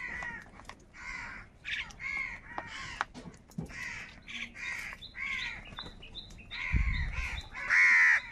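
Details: Several crows squabbling over food, a dense run of overlapping harsh caws with no pause, a brief low thump and a final loud grating cry.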